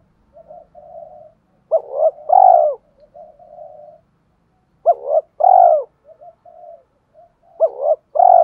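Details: A decoy spotted dove coos to entice wild doves to respond and come near. Soft hummed notes lead into strong double-then-long coo phrases, three times, about three seconds apart.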